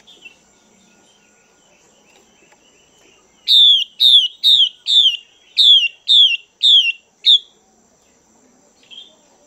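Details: Female Chinese hwamei calling to stimulate males: a run of eight loud, clear, downslurred whistled notes in quick succession, bracketed by near silence and a few faint soft notes.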